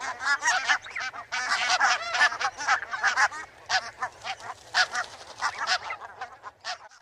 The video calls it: SOUND OF A BARNACLE GOOSE